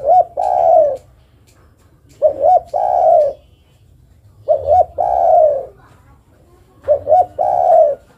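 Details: Zebra dove female calling the male, repeating four times a phrase of two quick rising notes and a long low mellow coo, spaced roughly every two and a half seconds.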